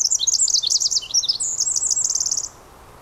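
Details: A Pacific Wren singing in the rain in the Squamish River Estuary pours out a rapid, high tumbling song of squeaky notes and fast trills, ending in a buzzy rattle after about two and a half seconds.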